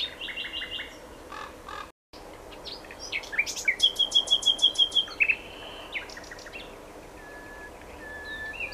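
A common nightingale sings varied phrases: high chirps, then a fast run of about a dozen loud repeated notes, a sharp whistle, and quieter trailing notes.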